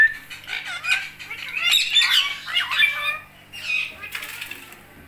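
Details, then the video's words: Indian ringneck parakeet kept as a talking pet, giving a run of chattering, warbled calls with rising and falling notes, some wing flapping, and short pauses between phrases. "Talking Talking Talking | Indian Ringneck"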